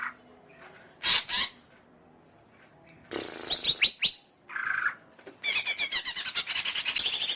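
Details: Greater green leafbird song: bursts of harsh buzzy broadband notes alternating with rapid chattering trills and thin rising whistles, separated by short pauses.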